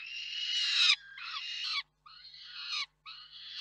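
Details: At the KOKSIK nest in Reda on 4 May 2023, peregrine falcons call around a food delivery. A long harsh screech comes first, then three shorter rasping wails with downward-bending endings.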